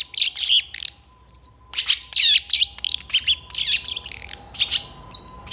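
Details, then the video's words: Long-tailed shrike delivering a full medley for training other birds: scratchy chattering phrases broken by short high whistles, repeated rhythmic bursts, with a faint steady hum beneath. "SUARA CENDET FULL ISIAN GACOR DOR"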